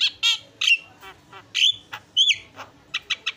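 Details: Javan myna voice: harsh squawks and slurred whistles alternating, a few loud buzzy notes followed by three quick clipped chirps at the end.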